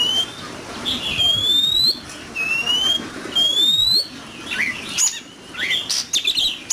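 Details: Competitive song of an oriental magpie-robin: a series of clean, steadily rising whistles repeated about once a second, then a burst of quick varied chirps and twittering notes.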